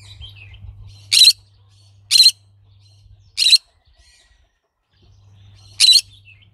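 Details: Green-cheeked conure giving four loud, harsh screeching calls, each short and buzzy, spaced one to two and a half seconds apart, with a steady low electrical hum between them.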